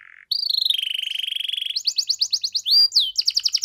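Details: Canary singing in a lively song used to prompt a quiet canary to answer: a low steady trill, then a long even buzzy roll, then quick rising sweeps and a fast chattering trill at the end.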